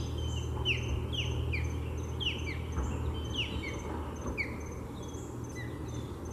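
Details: Nesting osprey pair with three chicks, Lake Seminole Park, Seminole, Florida, fending off an intruding osprey: rapid loud run of shrill downslurred cheeps, several per second and tumbling over one another, with a low steady hum beneath.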